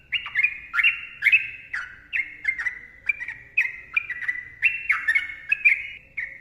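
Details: Sooty-headed bulbul singing long ropel phrases used as a lure recording: steady stream of fluty, descending whistles, roughly two notes a second, with faint low background hum.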